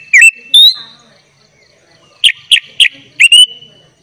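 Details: Sooty-headed bulbul singing 'gacor full isian' as tutor material for young birds: two bright whistled notes, a pause, then four quick sharp chips ending in a sustained high whistle.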